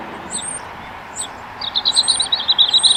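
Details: A small flock of Common Starlings, likely juveniles, perched on a wire at Elmley Nature Reserve, Kent, on 12 October 2025, gives thin, high, scratchy chirps rising into rapid chattering in the last half over a faint steady hum.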